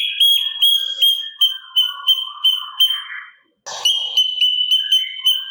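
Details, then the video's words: Sooty-capped babbler giving loud, evenly spaced whistled pips in a recording for training songbirds, with soft warbles between them. The song breaks off briefly before the piping resumes with added twittering. "Pancingan Cucak Cungkok Gacor Isian Kasaran"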